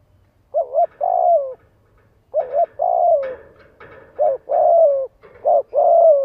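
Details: Spotted dove cooing, played to trigger decoy males to coo back: soft, low, hollow phrases of short notes with a longer drawn-out falling coo, repeated three times with pauses, in a quiet setting.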